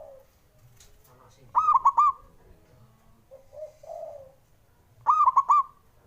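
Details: Male zebra dove call, used to stir slow-singing doves into song: two bright phrases of three to four quick stuttering coos, about three and a half seconds apart, with a softer, lower warbling sound between them.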